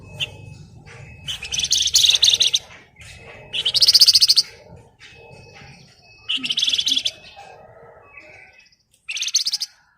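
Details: Javan tesia in full ngebren rapat song, giving four energetic bursts of rapid, shrill chattering notes every two to three seconds, with soft twittering and a thin held tone in the pauses.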